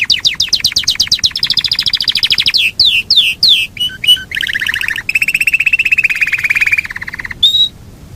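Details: Yorkshire canary giving a long rolling song: fast pulsed trills, a series of looping downslurred whistles, then a loud, steady low roll lasting seconds and a short clear whistle at the end.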